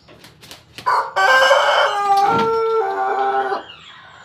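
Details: Pelung and Bangkok crossbreed rooster crowing: a loud, harsh, drawn-out crow lasting over two seconds, holding steady then dropping lower toward the end, after a few short clucking sounds and scraping noises.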